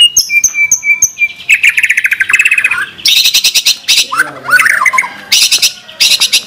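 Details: Energetic White-rumped shama singing in the gacor style with 'tembakan' fills: pure high whistles, then a quick chattering trill and bursts of harsh, rasping high phrases with twisting mid-pitched notes between them.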